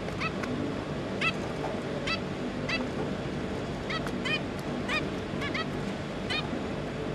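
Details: Zebra finches, parents with three young, recorded 5 August 2022: about a dozen separate short nasal call notes spaced irregularly through the clip, set against steady low background noise.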